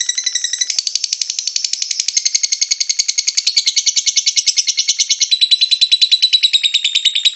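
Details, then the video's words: High-pitched ngekek song of a lovebird, meant to provoke other lovebirds to sing: a fast, rattling stream of buzzy notes, briefly lower at the start, then continuing steadily. "MEMANCING BURUNG LOVEBIRD, PASTI BUNYI MENDENGAR VIDEO INI.. LOVEBIRD SINGING"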